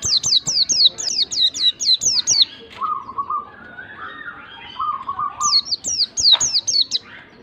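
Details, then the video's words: White-eye song meant to set off a reluctant bird: a long run of rapid, high descending whistles, then a lower buzzy trill with some warbling notes, then the falling whistles resume. "PANCINGAN PLECI MALAS BUNYI pleci malas bunyi langsung ngalas emosi"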